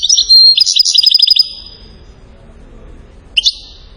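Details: European goldfinch in Settat, Morocco, in the salasiyat style: a quick series of bright chirps and about eight evenly spaced rapid notes, nearly two seconds of quiet, then a brief double chirp.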